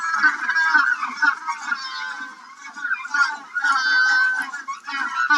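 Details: Magellanic penguins in an aquarium habitat bray to communicate at midday before a feed, more vocal while bulking up on land for their yearly molt. Loud, harsh, donkey-like bursts overlap and pulse, with a woman talking quietly underneath.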